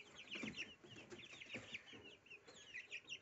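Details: Little goslings at breakfast, eating dill: a continuous chorus of high, thin, slightly rising peeps from several birds overlapping, with soft low pecking and rustling sounds underneath.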